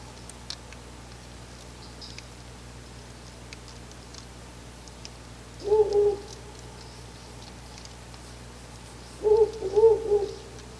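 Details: A Ural owl recorded near a nest box on 10 August 2019, around 4:20–4:30 am, gives two low, mellow hooting phrases a few seconds apart, each a quick pair of wavering hoots, over a quiet background.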